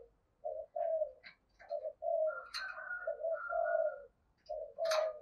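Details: Quieter, rougher take of a spotted dove's "giọng thổ" luring call, blocky low coos in uneven groups, with a higher overtone line and a few sharp clicks or knocks in the background.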